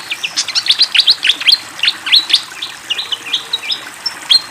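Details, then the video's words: Lively fantail song over flowing water: dense volleys of short chirps and sharp ticking notes for three seconds, then a few drawn-out slurred whistles. "SUARA BURUNG SIKATAN KIPASS GACOR DENGAN SUARA AIR MENGALIR"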